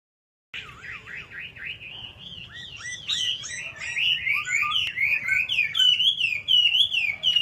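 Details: Two caged hwamei, one on the left and one on the right, singing: loud, varied whistled phrases of repeated rising and falling slurs, growing stronger and more rapid toward the end, with faint low hum behind.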